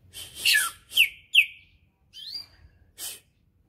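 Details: Greater green leafbird readied for competition sings bright downslurred whistles in rapid succession, followed after a pause by a rising note and a brief raspy burst.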